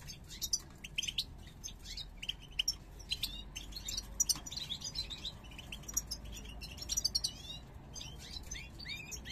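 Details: European goldfinches of the parva subspecies, a 2022 pair coming into breeding condition with snake-shaped head display. Continuous high, buzzy twittering with many quick chirps in irregular bursts over a low hum.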